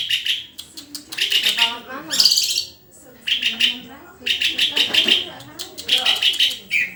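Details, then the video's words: Energetic white-rumped shama song of fast stuttering note trains, rapid repeated pips in bursts of about a second, broken by harsh high rasping phrases; faint murmuring and low background noise between phrases. "SUARA INDAH BURUNG MURAI GACORRRRR!!!"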